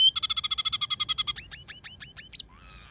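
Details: Scaly-breasted munia song mixing sparrow, red siskin and canary phrases: a loud fast trill of around fifteen notes, then a run of hooked rising whistles and a soft buzzy close.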